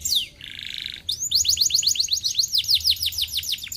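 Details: Canary singing as a lure for lazy canaries. A high falling whistle opens, then a short buzzy rattling passage, then a fast trill of sharp downslurred notes repeated several times per second.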